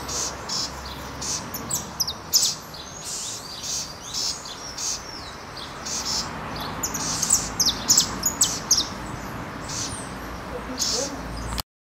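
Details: Southern House Wren (Troglodytes musculus) chicks in Santa Catarina, Brazil, give rapid, high, scratchy chittering bursts, several a second and swelling in short waves, over a low steady background hum.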